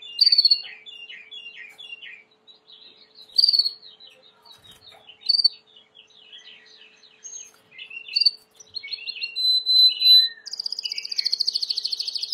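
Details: A Timbrado canary sings a varied training song: scattered chirps and sharp accented notes repeat every couple of seconds, then build into pure held tones and finally a rapid pulsed trill.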